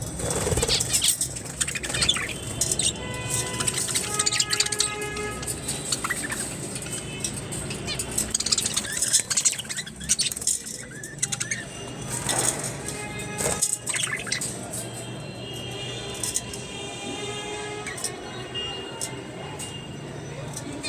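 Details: Budgerigars in a newly set-up breeding colony, being prepared for breeding, chatter with busy warbling chirps and squawks over wing flutters and faint music.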